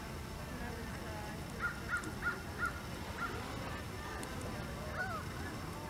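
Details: Canada goose at Hawreluk Park Lake gives a quick run of five short, nasal honks, then a single honk a couple of seconds later, over a steady low rumble and faint voices.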